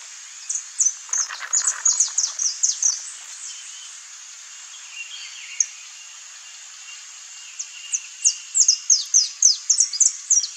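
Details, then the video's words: Saffron finch (Sicalis flaveola), wild and free in nature in Brazil, singing two bursts of quick, high, sharp chirped notes, about three per second, separated by a quiet pause, over a steady outdoor hiss. "CANTO do CANÁRIO-DA-TERRA (SICALIS FLAVEOLA), SAFFRON FINCH"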